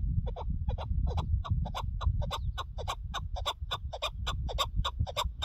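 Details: Chukar partridge heard on a partridge hunt, giving a steady, loud series of short clucking chuk notes, about four per second, continuing throughout over a low rumble of wind or handling noise.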